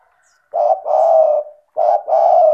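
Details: Spotted dove, a highly vocal bird used to prompt lazy doves into calling: two pairs of low, mellow cooing notes, each pair a short coo followed by a longer drawn-out one, on a quiet background.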